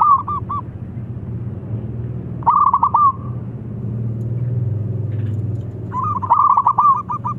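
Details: Eagerly singing young local zebra dove, noted for its thick voice and used to lure other doves: bursts of rapid, stuttering coos, a quieter gap filled with low rumbling background noise, then a longer rolling phrase.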